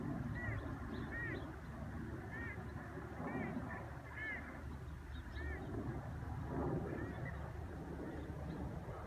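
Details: A common sandpiper at Laguna de Miralrio, Parque Regional del Sureste, on 14 August 2018 gives thin, high, arched call notes, singly and in short pairs, against a steady low rumble like an engine or murmuring voices.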